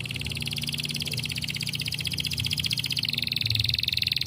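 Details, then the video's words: Canary trill offered to encourage fellow canaries to sing: one sustained, rapid and buzzy roll of evenly pulsed notes lasting the whole span, growing slightly louder toward the end, with low background rumble. "A gyönyörű kanári dal bebizonyította, ösztönözve a többi kanáriust ismét az éneklésre"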